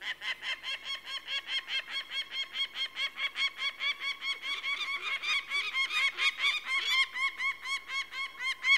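A peregrine falcon gives a long, steady series of harsh, grating notes, about two each second, growing louder and more ragged toward the end.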